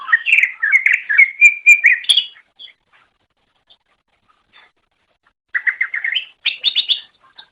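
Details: Cucak ijo singing as a master recording for training songbirds: a long run of warbling, fluty whistles, a quiet gap, then rapid repeated chirps rising in pitch.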